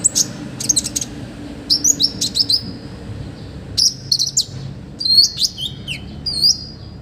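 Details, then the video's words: Lively olive-backed sunbird song with a full set of rich fill phrases, recorded as a training tutor for other birds: clusters of high, sharp chirps alternating with sweeping whistled slurs and short pauses. "MASTERAN KONIN GACOR FULL ISIAN MEWAH KOMPLIT BUAT TERAPI BURUNG LAIN"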